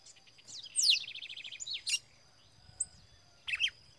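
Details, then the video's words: Red-cowled cardinal singing in the biritinho style: a loud downward-sweeping whistle, then a quick run of about eight repeated chirped notes, followed by a few short separate notes, over a steady high-pitched whine. "Galo de campina biritinho na pegada"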